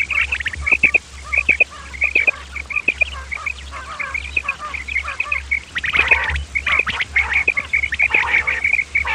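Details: Quail lure recording of male and female common quail: many birds giving rapid, high, clipped chirps in dense overlapping runs, loudest bursts near the end, with a steady low hum in the background.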